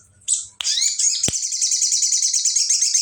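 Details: Sooty-headed bulbul singing a song loaded with imitation of the bar-winged prinia (ciblek): a few sharp high notes, then a long, fast, buzzy trill held at a very high pitch. A faint low hum runs underneath.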